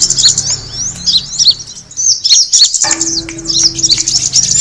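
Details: Kemade bird attracting call: bright, high chirps and twisting tweets in quick clusters, a short lull partway, then renewed chatter over a steady low hum.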